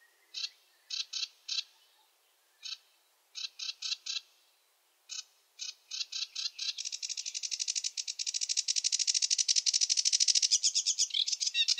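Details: Song of a sedge warbler: a few spaced clusters of clipped triple notes, then an accelerating chatter that breaks into a long, fast buzzy trill at the end.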